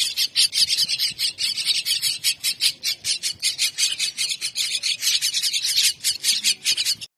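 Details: At feeding time, mynah chicks keep up a fast, steady series of harsh rasping begging notes, roughly two or three each second, with no pause throughout.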